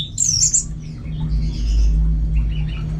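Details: Orange-headed thrush, a kept contest bird singing at home in Singaraja, North Bali: a high, bright warbled phrase opens, followed by softer twittering notes over a steady low hum.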